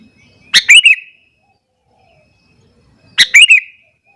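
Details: Sooty-headed bulbul calling in the morning to provoke rivals: two short, bubbly phrases of three quick liquid notes each, separated by over two seconds of silence.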